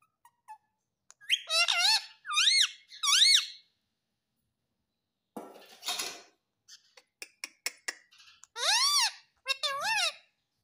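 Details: Pet ringneck parakeet in India talking, imitating "mummy papa" with bursts of wavering, harmonic word-like phrases, pauses filled by clicking and clattering household noises, then two more rising syllables.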